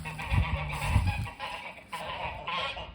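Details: Snow geese calling near a front porch, their honking notes overlapping with a strong low rumble, probably wind or handling.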